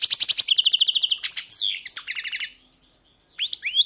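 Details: Goldfinch of the 'crni' type in song: a fast run of repeated bright notes, then liquid twittering slides and a short pause before more high chirps.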